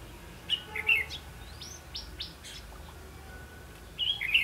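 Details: Trapping decoy red-whiskered bulbul, recorded 8 October 2016, gives a lively burst of fluty warbled notes, then a pause with a few thin rising chirps from other birds, then another loud warbled phrase.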